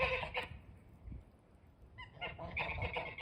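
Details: Snow geese heard from a front porch giving high, nasal, yelping honks, a few at the start, then a quieter pause, then a rapid overlapping burst of calls from several birds.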